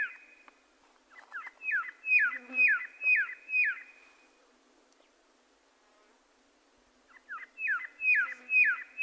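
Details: Red-lored whistler (Pachycephala rufogularis), song.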